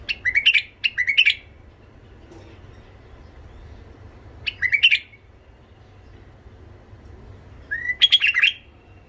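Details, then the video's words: Rough-voiced tame white-eared bulbul from Iraq, its song used to train young bulbuls and rouse wild birds: four short, punchy bursts of rich chirped notes separated by silent gaps of a few seconds. "تغريد بلبل عراقي ابيض الخدين اليف صوت خشن حنجره ذهبيه لفتح البلبل الوحشي لتلقين صغار البلابل تحفيز"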